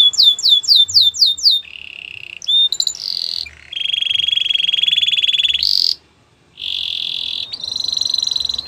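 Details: Belgian canary training song for young birds: quick repeated down-sweeping whistles open, followed by a chain of sustained high rolling trills at different pitches, with one short silent break near the end.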